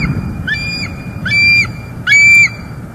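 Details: Female bald eagle calling at her northeast Florida nest as the male brings sticks, December 2021, nest camera: three high, thin, whistled squeals with harmonics, the last two longer, over constant low background hum.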